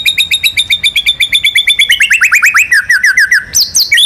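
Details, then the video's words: White-rumped shama, national contest champion, singing ngerol and nembak material: a rapid rolling series of crisp chirped notes, about six per second, stepping gradually lower before a brief higher flourish at the end. "MURAI BATU GACOR MANCING BURUNG LAIN BUNYI‼️ MATERI ISIAN NGEROL NEMBAK IRAMA LAGU LENGKAP ISTIMEWA"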